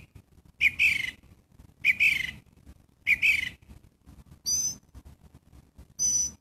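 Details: Three scratchy downslurred mewing notes from a gray catbird, then two thin, high, clear whistled notes near the end, with a low rumble underneath throughout.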